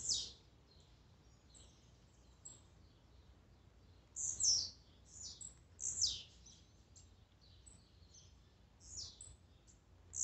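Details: Blue-black grassquit singing in a recording made to stir up a kept bird: brief high, buzzy downslurred notes, several loud ones between four and six seconds, fainter distant calls scattered throughout, steady low background rumble.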